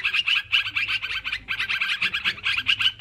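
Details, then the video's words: Lively yellow-vented bulbul chatter for luring birds: rhythmic clusters of quick bubbly notes, each burst ending in a brighter whistled accent, repeat several times a second with short gaps. "Suara Mikat Trucukan Ribut"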